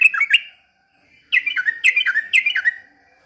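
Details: Trucukan in energetic song imitating white-rumped shama, giving a short burst of sharp whistled notes, a pause, then a run of quick repeated downslurred whistles with crisp clicks.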